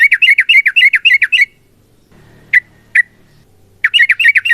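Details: Yellow-vented bulbul in a long, rapid fighting song: fast runs of clipped, bubbly notes repeated nearly four per second. A pause follows with two isolated sharp notes, then the quick chattering run resumes.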